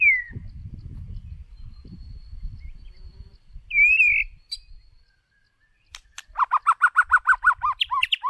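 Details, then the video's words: A white-rumped shama decoy sings for voice training: clear, slurred whistles, a brief pause, then a fast run of about a dozen repeated, slightly buzzy notes mixed with higher whistles. "Chòe lửa Mồi hót cực đỉnh"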